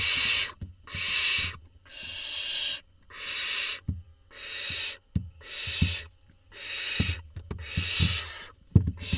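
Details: Barn owl chicks in an Israeli nest box, 20 June 2021, the smallest swallowing a vole: about nine rasping, snore-like hisses in regular succession, nearly one per second, with scattered knocks and scraping in the box.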